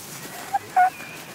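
Black swan giving two clear, bugling notes of middle pitch: a short one, then a longer, steady one. Faint background hiss.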